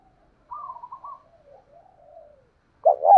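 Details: Spotted dove used as a fighting lure, 'thổ đồng' voice: soft, wavering murmured notes drift for two seconds before a short, strong double hoot starts a new coo phrase at the end.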